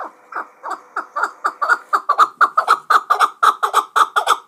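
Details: Hunting chukar partridge from Muminobod calling loudly and close, with sharp clucking chuk notes that speed up into a steady rapid series, roughly four per second.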